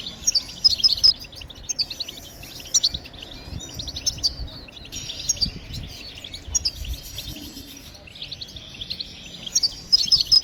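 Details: European goldfinch song used to coax other birds into singing: long run of high, fast twittering and buzzy trilled phrases in several bursts with brief pauses, a soft low rumble beneath.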